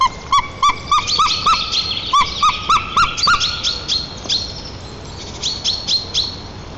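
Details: White-tailed eagles (Haliaeetus albicilla) at a nest in Nizhnyaya Kama National Park, Tatarstan, on 7 April 2024: the female returns and the pair greet each other in a fast yelping series, about three sharp rising notes a second, fading into thinner, higher chatter.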